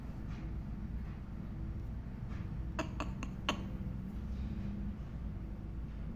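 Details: Steady low hum with a few sharp clinks near the middle and no animal voice.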